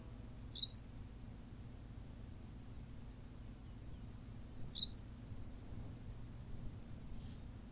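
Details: On La Gomera, Canary Islands, a Berthelot's pipit calls twice: brief, sharp, high-pitched notes about four seconds apart, with quiet low background rumble between them.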